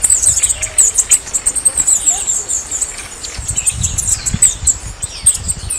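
Red-necked Tanager giving a rapid run of very high, thin, sibilant notes, chattering almost without pause, over soft low rumble and light patter.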